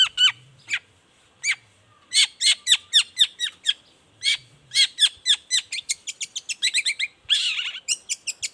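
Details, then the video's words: Lure song of a long-tailed shrike in the morning: bursts of sharp, falling chirps in quick runs, building into a dense rapid chatter with a harsh rasping note near the end. "Suara cendet gacor Pagi Hari pancingan jitu BIKIN cendet diam langsung nyaut ikutan bunyi"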